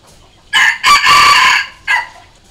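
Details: A red junglefowl crows, used to provoke decoy cocks: a bright, harsh four-part call with a long drawn middle note and a short clipped ending, all within about a second and a half.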